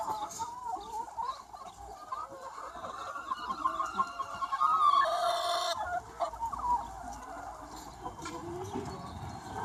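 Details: Free-range chicken flock on a sunny spring day, many hens calling at once in overlapping, harmonic, wavering clucks and drawn-out notes, with a louder rising squawk near the middle and a steady chatter throughout.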